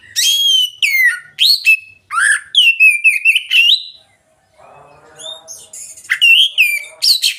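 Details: Oriental magpie-robin song in the open, loud ngeplong style, played as a lure for reluctant singers. A rich run of varied whistles, quick downslurs, and chattering notes is broken by one brief pause, then the song resumes with bright slurred phrases.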